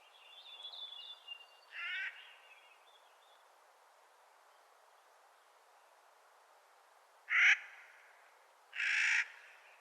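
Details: Spring calling by a Clark's nutcracker: three separate grating, rasping calls spaced several seconds apart, with faint thin chatter from another bird at the start.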